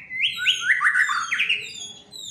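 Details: White-rumped shama, a fighter bird in an agitated state, singing loudly: bright whistled phrases that slide and rise, given in quick succession over a quiet background.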